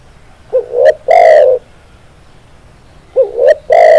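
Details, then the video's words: Song of a tekukur, the spotted dove, used as a tutor recording. Two phrases roughly 2.6 seconds apart, each made of paired short rising coos ending in a prolonged, strong coo. "SUARA BURUNG TEKUKUR, MASTERAN CEPAT GACOR"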